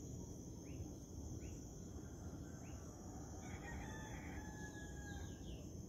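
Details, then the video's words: Rooster crowing in the morning at sunrise, a brief harmonic crow rising midway through, partly masked by steady hiss, with repeated short bird chirps and crickets chirping in the background. "Rooster Crowing"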